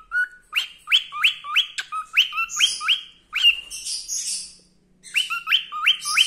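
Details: A joyful male cockatiel whistles his favourite "Wiko Wiko" song in bursts of rising two-note whistles, with some scratchy chatter in between and a short gap before the last run.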